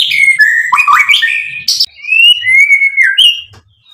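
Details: White-rumped shama singing loudly to excite and provoke other birds into a full reply: a rich medley of slurred whistles dipping and rising, a sharp high burst, then long smooth rising-falling whistled notes ending on a brief higher phrase.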